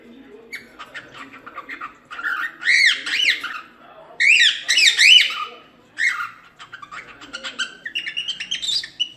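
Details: A cockatiel sings a warbling song used to teach chicks: a phrase of bright, rising and falling whistles, with loud bursts near three and five seconds and softer chatter between.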